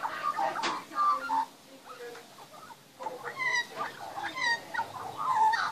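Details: Magpies in a backyard, with young being fed, singing. Clear whistled, warbling notes with rich harmonics come in bursts, steady and fluting, with short pauses between phrases.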